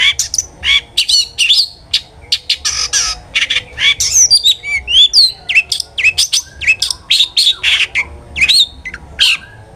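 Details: Lively song of a long-tailed shrike, used as a lure to get other shrikes singing: a long varied stream of sharp chirps, rising and falling whistles, squeaky trills and raspy notes, mixed in quick irregular bursts.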